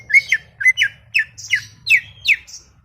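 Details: Greater green leafbird chattering: harsh, squawky downward-sweeping notes delivered roughly three per second with sharp bright overtones, steady rhythm throughout, and a soft low hum in the background.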